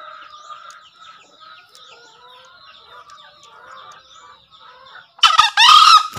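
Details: After several seconds of small birds twittering and chirping, a green junglefowl crows once near the end. The crow is loud, rough and two-part, with a clipped first note and a drawn-out rasping second note.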